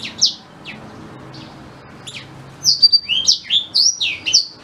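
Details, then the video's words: A black-throated canary opens with a few scattered high chirps, then breaks into a fast, continuous run of sharp slurred whistles for the final two seconds. The song is used to tutor a white-rumped shama. "Suara Asli Blackthroat Pas Buat Guru Murai Batu"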